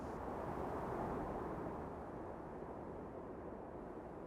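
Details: Continuous roaring wind or distant engine noise fills the recording, with no animal sounds.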